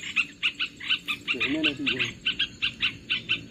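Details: Olive-winged bulbul call used as a lure for trapping birds: a rapid series of bubbly chattering notes, about four per second, with a brief lower wavering sound midway.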